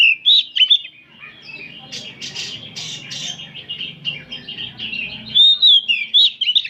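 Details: Many oriental magpie-robins singing together in the afternoon, recorded as training material: loud, rich whistled phrases with sweeping and warbled notes high in pitch, bursts at start and end, a softer busy chatter between them.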